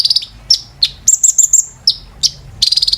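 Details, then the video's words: Kolibri ninja, or brown-throated sunbird, singing in training audio for caged birds: a fast stuttering trill, single high slurred whistles, a run of very high piercing notes, then another rapid trill. "KOLIBRI NINJA TERAPI GACOR"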